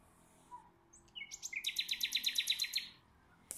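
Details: Common nightingale answering a nearby rival nightingale in a singing duel: a few short notes, then a fast, even, loud trill of about fifteen sharp repeated notes lasting under two seconds, then silence.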